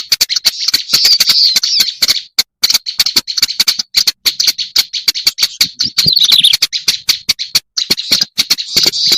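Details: Lure recording of a black-browed reed warbler: a sustained grating chatter of rasping notes and sharp ticks with a few brief silent gaps, and a squeaky descending flourish partway through.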